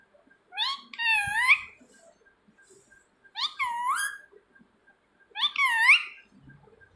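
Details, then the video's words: Indoor pet parrot repeating its owner's name as a call; three separate speech-like phrases, each about a second long, dipping then rising at the end, spaced about two seconds apart. "मिट्ठू मिट्ठू बोलने वाला तोता.. Talking parrot"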